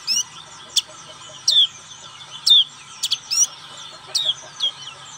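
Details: Black-capped white-eye in ngriwik style: sparse, sharp high chirps and quick downslurred notes, some doubled, spaced irregularly about once a second over a faint steady hum.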